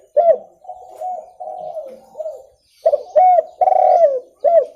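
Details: Clear spotted dove call for bird luring: a sharp opening coo, a series of softer mellow coos, then a strong loud group of accented, slightly hoarse coos and a final crisp note.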